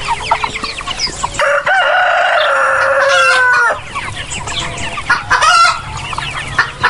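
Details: Rooster crowing among free-range and farmed chickens: one long, loud, sustained crow with a rising start and a flat held tone lasting over two seconds, framed by rapid, irregular clucking from several hens.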